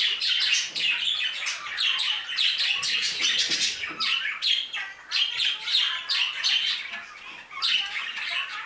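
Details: Budgerigars in an aviary keep up a lively, high twittering chorus of quick chirps and trills in fast, uneven bursts, loud and close.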